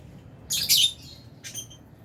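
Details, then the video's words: A single loud, buzzy, high squawk from a lovebird in an aviary holding albino and Fisher's birds, followed by one fainter short chirp. "Lovebirds Sound | Birds Aviary | Lovebirds Chirping Sounds"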